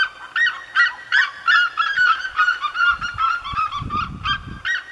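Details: Red-legged seriemas (Cariama cristata) singing in the Serra da Mantiqueira, Brazil: loud, harsh yelping notes, two or three a second, in a steady goose-like barking chorus over faint low rumbling.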